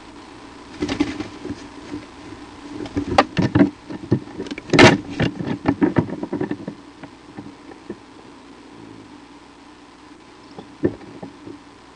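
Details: Knocks, taps and rustling thumps over a steady low hum, with no animal voice.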